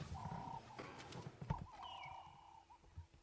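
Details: Ring-necked dove perched in a tree in Sabi Sands on a morning drive, 19 August 2016, throat puffing as it calls, giving mid-pitched, hollow cooing notes, a longer note then shorter ones, with a thin higher whistle and low rumble.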